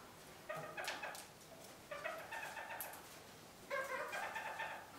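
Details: Captive red-crowned parakeets (kakariki) in winter, given a large willow branch to keep them busy; one gives three bursts of rapid, nasal chattering, each about a second long and roughly one and a half seconds apart, over a quiet background.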